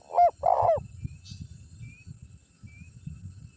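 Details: Prize-winning Spotted dove cooing as bait for wild birds; one brief phrase, a short coo and a longer burry coo, followed by low rumbling background noise.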